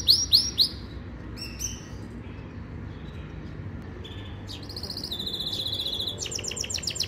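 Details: Yorkshire canary singing a training song: a few loud ringing notes, then sparse whistles and a long buzzy trill ending in rapid repeated chips.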